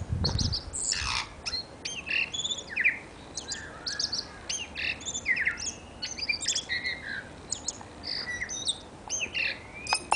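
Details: A New Zealand tui singing in a suburban back garden gives a busy jumble of squawks, clicks, wheezy notes and bright metallic chimes in quick irregular bursts, with a soft low thump near the start.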